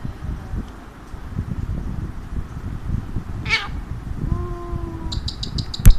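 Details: Alexandrine parakeet kept as a pet, perched on a hand and talking; one sharp raspy burst, then a level whistled tone, followed by rapid clicking ticks and a loud knock.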